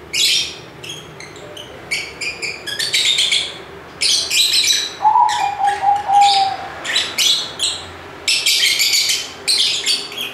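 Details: Several lovebirds chattering noisily in bursts of harsh, scratchy high chirps, roughly one burst per second, with a brief lower whistled note in the middle.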